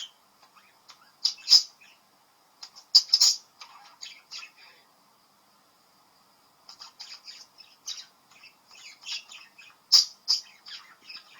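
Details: A 10-week-old pet budgerigar chatters in quick bursts of scratchy chirps and squawks, with brief pauses between runs, seemingly talking to a bird on a screen.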